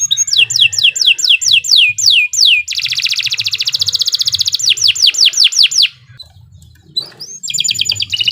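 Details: Long canary song meant for tutoring beginner birds: a series of clear sweeping downslurred whistles, then a dense rapid rattling trill, more repeated downslurs, a short pause and a closing high trill; low background hum throughout.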